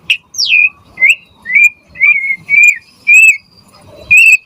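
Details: White-rumped shama song used as a lure for other birds: a series of loud, clear whistled notes, the first sliding downward, the rest short and level, spaced about half a second apart.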